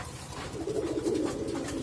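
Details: A male domestic racing pigeon in a loft full of paired birds and squabs gives a low, throaty coo, rolling and slightly wavering over a soft background hum; he has been flown 52 km and in 31 km tournaments.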